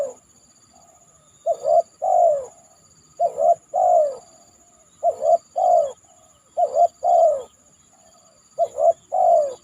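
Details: Spotted dove calling from a banana trunk after heavy rain, five deep coo phrases in a row, each a short note, a rising double coo and a long falling coo, with a persistent faint high hiss.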